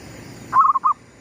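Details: Lure zebra dove of the gedong mengo style cooing as the sun rises: one brief rolling, quavering coo followed by a short separate closing note, over faint low background rumble.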